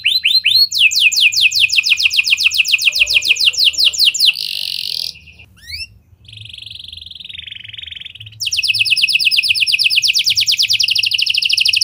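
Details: Canary singing lovebird and prenjak style phrases as a lure to make other canaries sing long: a long rapid trill, a harsh buzzy stretch, a quieter sustained buzzing passage, then the loud rapid trill resumes.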